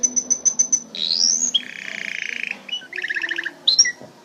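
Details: Canary rapidly stringing high pips, a rising sweep, a buzzy rolled trill, and a run of pulsed notes, closing with a sharp upswept call.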